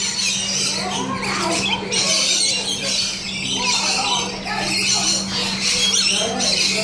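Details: Captive rainbow lorikeets at Colchester Zoo keep up a continuous chorus of harsh, high squawks and rasping chatter, with a constant low mechanical hum and murmuring visitors underneath.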